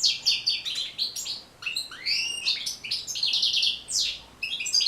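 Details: Lively European goldfinch song for teaching birds to sing. Tinkling twitters alternate with rising and falling slurred notes and fast buzzy trills, with a short pause near the middle.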